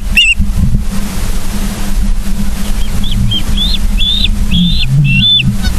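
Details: Osprey calling at a nest in Charlo, Montana, 31 August 2023 at 09:36: one sharp note, then a slower string of rising-and-falling whistled notes growing longer and louder, with steady low hum behind.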